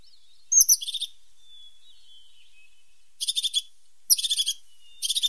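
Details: A tit repeats buzzy, high-pitched pulsed trills. Each begins with a sharp note followed by a quick stutter of pulses, four bursts in all, with a faint thin whistle running between them.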